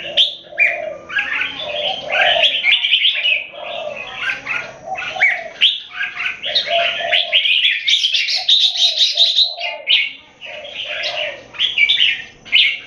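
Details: Two competing Singapore-kept red-whiskered bulbuls, open-tail keke versus long, loud keke, pour out continuous jumbled warbles. Repeated short chirps and slurred whistles build to a louder, higher burst midway.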